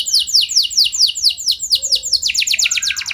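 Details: Canary song meant to spark other canaries into singing: loud descending whistled notes repeated steadily, then speeding into a denser, brighter trill near the end.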